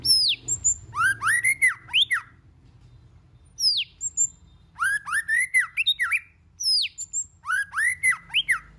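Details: Many-voiced song of a white-rumped shama, delivered in phrases separated by pauses of about a second. Each phrase opens with a high, falling whistle, then a burst of quick, sharp, arched notes.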